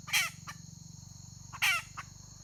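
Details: Red junglefowl hen on 31 May 2023 gives two loud harsh squawks about one and a half seconds apart, each trailed by a softer short note, over a steady high whine and low hum.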